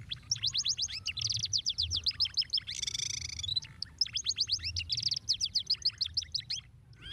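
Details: Rapid canary singing used to stimulate lazy canaries: quick series of high, sweeping chirped notes in fast rolling trills, broken by a brief harsh buzzy burst in the middle before the quick repeated notes resume.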